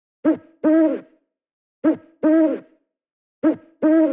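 An owl hoots in paired notes, a short hoo then a longer, wavering hooo, three times about every 1.6 seconds against a silent background.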